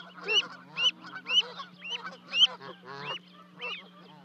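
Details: Canada goose family at Charlo, Montana, 12 May 2020, two goslings leaping from a 30-foot nest; a handful of loud, hooked honks about once a second, then weaker, lower calls, over a faint hum.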